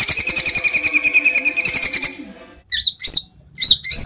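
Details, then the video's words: Greater green leafbird in a cage, used as a training song recording in a style packed with varied phrases: a fast, regular run of high buzzy repeated notes for two seconds, then separate sharp, looping whistled phrases. "Masteran Cucak Ijo Full Isian Tembakan Kesukaan Juri"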